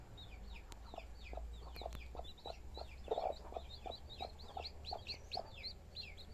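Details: Hen with her chicks: many chicks peep in high, thin, descending cheeps, overlapping throughout, with soft low clucks from the hen spaced about every half second beneath them.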